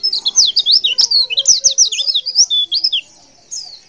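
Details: Female white-eye giving a call to make males respond: a lively, continuous string of high, sharp, up-and-down chirps for three seconds, then one short final note.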